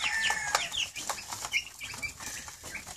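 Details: Two-week-old Cornish Cross chicks gathering around their keeper on a morning, seemingly hungry: short high peeps among heavy scratching and rustling noise.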